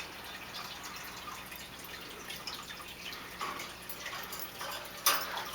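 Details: Quiet dripping and splashing water fills a small indoor space, with a sharper splash near the end. No animal sound can be picked out.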